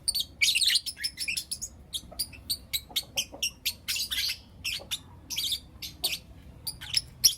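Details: Shrill chattering of Blue Opaline and Lutino Opaline lovebirds in the morning: rapid strings of sharp clicks and high chirps mixed with a few louder rasping bursts.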